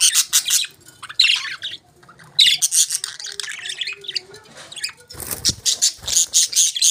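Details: Budgies chirp and warble loudly in dense, scratchy high bursts with short whistled slurs, pausing briefly midway, then resuming with rapid pulsing chatter.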